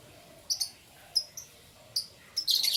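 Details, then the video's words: Several short, high, whistled chirps from canaries in the morning, then a denser rush of bright, buzzy twittering at the end. "Canary Chirping Sounds"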